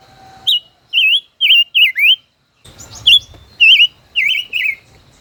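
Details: Five-colored bird kept caged over a year and duelling in song: loud twisting whistled notes, each rising and falling, delivered in tight groups of three to four, a short break, then another group.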